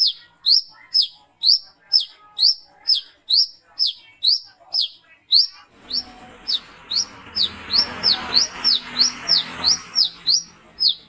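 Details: Brown-throated sunbird calling at night, used as a lure: sharp high chirps repeated about every half second in a steady series, with a rushing background noise building in the second half.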